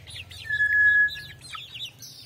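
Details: Brown tinamou song: a single clear, flat whistle held for about half a second, loud against a background of busy, high-pitched twittering from other birds.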